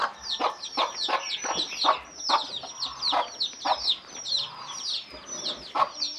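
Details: A hen's repeated 'kuk kuk' calls inviting chicks to eat, bursts of several quick clucks, almost drowned by the chicks' bright, busy cheeping that dominates the upper range.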